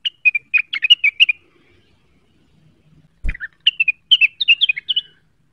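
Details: Cucak wilis, provoked and searching for a rival, pours out quick sequences of sharp, varied chirps. A thump interrupts before a second lively run.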